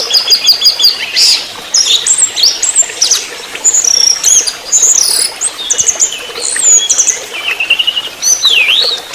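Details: Orange-headed thrush in a lively trotol song, used as a lure recording: a nearly continuous run of sharp high chips, rapid trills and swooping whistles, densely packed with barely a pause.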